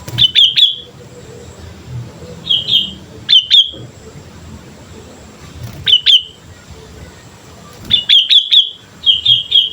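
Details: Sooty-headed bulbul in energetic song, used as a training lure: short bursts of two to four bright, bubbling chirps repeated every two to three seconds, with a low murmur underneath.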